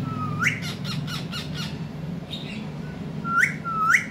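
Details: Pet ringneck parrot kept indoors with a baby parrot; rising whistled calls sweeping upward, a burst of rapid squawks, then two more rising whistles near the end, with low room hum.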